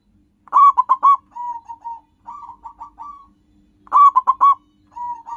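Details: Local zebra dove with a natural wild voice, used for luring: loud clipped cooing bursts, each followed by softer drawn-out trilled notes, the pattern repeating after about three seconds.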